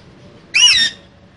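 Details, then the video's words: One loud, raspy squawk lasting under half a second, from one of a pair of green parrots in a cage, against quiet room hum. "Two Green Cute Parrots Talking In Cage So Cute"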